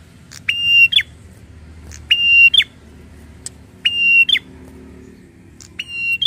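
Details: Prinia described as angry and agitated, repeating a sustained flat buzzy tone with a sharp falling end, four times at roughly two-second intervals.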